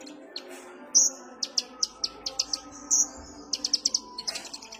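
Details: Kolibri ninja (sunbird) calls used as a lure: rapid series of high, thin chirps and short trills, about a dozen notes in quick irregular bursts, with a faint low hum beneath.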